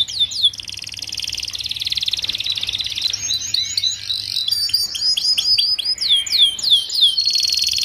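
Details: Canary with a 'paud' song meant to teach young flock-kept canaries to sing fast: a long sustained buzzy trill, then quick clipped notes and a run of repeated down-slurred whistles before another trill.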